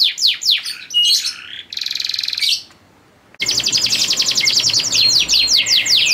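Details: Captive male canary singing to a female in breeding condition: varied chirps and a buzzy trill, a brief silence, then fast repeated descending whistled sweeps.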